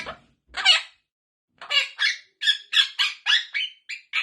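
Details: Pet parrot giving a string of harsh, raspy squawking notes, about a dozen short bursts in quick succession after two isolated opening calls; no clear words are heard.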